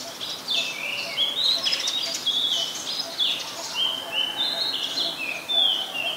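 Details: Adult Chestnut-headed Bee-eater calling in Ubon Ratchathani, Thailand, January 4, 2020: clear high whistled notes, some flat, some slurring downward, given in lively overlapping bursts throughout.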